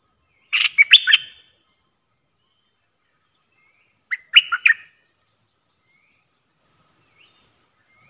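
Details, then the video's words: New caged decoy Streak-eared bulbul singing on 6 May 2022 in the 'open flower' style: two bursts of rapid chirpy notes about three seconds apart, then a thin high trilling sound near the end. "เสียงนกดอกแตงEp.106นกต่อใหม่ เจ้าขันเงิน เปิดดอกล้วนๆ Birds sounds suara merbah lekir"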